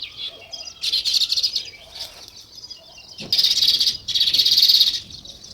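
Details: Sparrows in a natural setting chirping in two dense, high bursts of overlapping twitters, the second longer and louder, with quieter scattered chirps between them.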